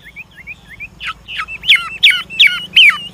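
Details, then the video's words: Old wild-origin Chinese hwamei decoy singing to encourage newly caught birds: soft, paired upslurred whistles, then rising into louder, sharp, repeated falling notes roughly three per second. "Tiếng chim họa mi mồi già rừng hót luyến láy đảo giọng liên tục, giúp kích chim bổi nhanh hót"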